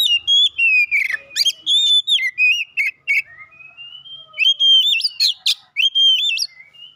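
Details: Oriental magpie-robin, champion of a singing competition, pours out loud varied whistles with sharp upward and downward slurs, buzzy accents and rapid chirped runs, briefly pausing midway.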